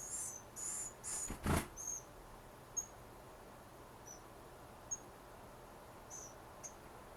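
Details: Western Flycatcher nestlings, 11 days old, in a wild nest in the Pacific Northwest: a quick cluster of thin, high squeaky calls and a soft thump, followed by sparse, brief high chips spaced out over the remaining seconds.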